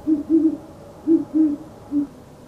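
Great Horned Owl giving five deep, soft hoots in a stuttering rhythm, two quick, a pause, two more, then one, in about two seconds.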